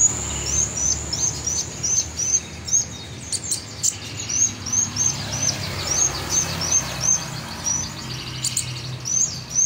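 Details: Sunbird called kolibri ninja, singing actively: a long series of thin, high, downward-flicking notes at about three per second, briefly broken by scratchy bursts, with low hum beneath.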